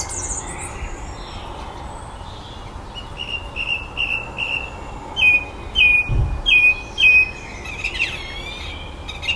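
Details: Common blackbird singing in a garden in the evening, imitating electronic noises: a run of short identical beeping whistles, about ten in a row, after a quiet start, over a faint background hum.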